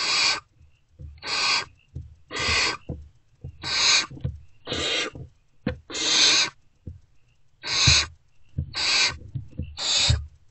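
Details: Hungry great horned owlets in a wild nest box give a quick series of about ten harsh rasping screeches at an adult's return, 3 March 2024 near 5:30 am, with soft low knocks underneath.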